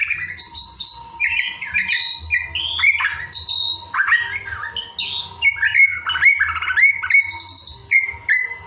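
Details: Murai batu (white-rumped shama) evening song-training recording: loud, varied warbled and whistled phrases jumping between pitches, some with bright sliding notes, continuous over a faint steady tone.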